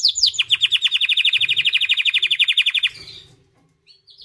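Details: A white canary sings a steady rolling trill of evenly repeated notes, roughly ten per second, lasting nearly three seconds after a brief high opening flourish, then fading to quiet with one faint high note at the end.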